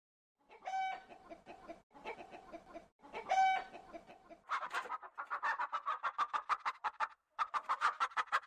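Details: A chicken gives several drawn-out, tonal, slightly wavering calls with clear overtones, then breaks into a fast, dense string of harsh clucks, over a quiet background.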